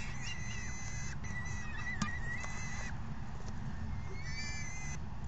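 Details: Raucous falcon chicks begging during a feeding by their parents, 3 June 2018; overlapping high whistled squeals with layered harmonics, a sharp click near the middle, a short pause, then another burst of calls over low rumble.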